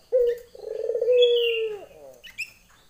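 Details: A female Barbary dove calls to a male with a quick opening note that runs into a long vibrating coo, steady and low, sliding down at the close; a brief higher twitter from another bird overlaps.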